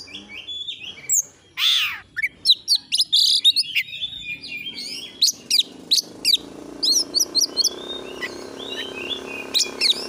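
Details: Oriental magpie-robin singing energetically in a training recording: varied loud whistled phrases, sharp rising and falling notes and buzzy bursts in rapid sequence, with a faint hum underneath.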